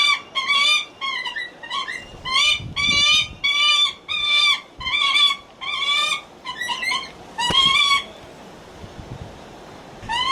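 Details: Captive Lanner falcon at Kakegawa Kachoen, Japan, calling in a sweet, coaxing voice to ask for attention: about fourteen harsh, strongly harmonic wailing notes, each roughly half a second long, in irregular bursts with brief pauses.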